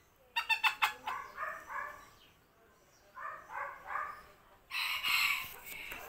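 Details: Silver Sebright bantam fancy chicken laying an egg: quick run of harsh clucks, then drawn-out nasal bawk notes in twos and threes, ending in a louder, higher, strained squawk.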